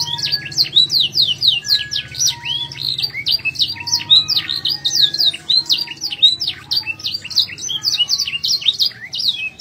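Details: Canary singing: a continuous stream of quick high warbled and slurred notes with chattering trills, some short low pure tones between phrases, over a faint low hum, indoors.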